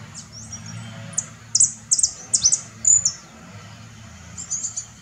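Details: Saffron finch (Sicalis flaveola) at Herradura, Formosa, giving sharp, very high chips in short irregular bursts, a few per second, over a faint low background rumble.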